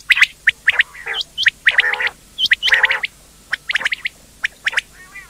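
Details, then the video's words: Indian quail calling: sharp high chirps, some upswept, scattered among lower nasal churring notes, roughly one burst per second from several birds. "quail sound effect/quail bird sound/quail sound effect video/indan quail bird sound/ batair ki Awaz"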